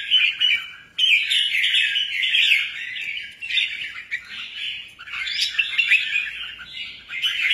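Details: Busy chattering song from a rare albino red-whiskered bulbul: an unbroken stream of scratchy, warbling chirps, briefly dipping after five seconds before swelling again with brighter rising notes.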